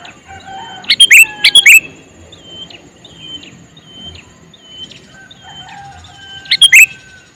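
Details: Sooty-headed bulbul, a male, calling with two quick bubbly bursts close together, then a pause filled by repeated short whistled notes from another bird, then one more burst.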